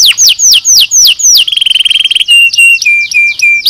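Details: Canary singing for bird training: rhythmic falling sweeps give way to a fast rattling trill, then a string of short, flat, level whistles.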